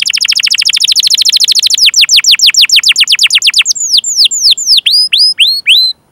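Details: Canary song to stimulate other canaries to sing: a rapid buzzy trill slowing into evenly spaced down-slurred whistles, then wider looping chirps at a slower pace.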